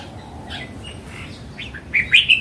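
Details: A mature wild Red-whiskered bulbul with red cheeks sings a short, bright, bubbling phrase of a few rapid notes at the very end, preceded by faint scattered chirps in quiet surroundings.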